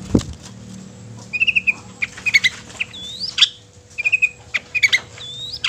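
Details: Long-tailed shrike song meant to provoke other shrikes into singing and anger: short trilled phrases near the middle pitch, rising whistled slurs and harsh clicks, with a steady low hum beneath.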